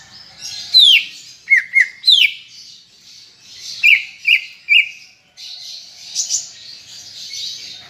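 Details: Greater green leafbird giving a lively gacor chattering song: bright, sharply descending whistled slurs in quick pairs and triplets, separated by short pauses, with a soft hiss of fine high twittering underneath.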